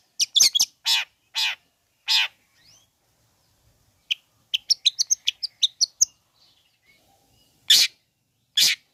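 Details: Long-tailed shrike vocalising to goad other shrikes: harsh rasping notes at the start, then a fast series of thin, high chirps and whistles, closing with two more rough, grating bursts.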